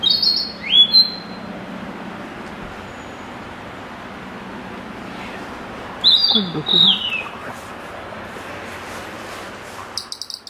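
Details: Narcissus flycatcher singing at Kiyosato on 15 July 2012: two short high whistled phrases, bright warbling notes sliding downward, about six seconds apart, with a quiet steady background between them and a few clicks at the end.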